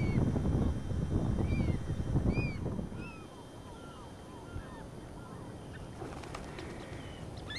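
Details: Flock of five American Oystercatchers flying past a kayak on the Nonesuch River at Pine Point, near mudflats with peeps: a run of loud, piping, down-slurred whistles, several per second, over a steady low rumble of wind and water.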